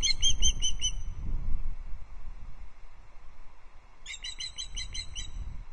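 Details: Female osprey alarm calling at an intruder from her perch at a Loch Arkaig nest, summer evening 2022; a short volley of high piping notes, a few seconds of quiet, then another quick burst.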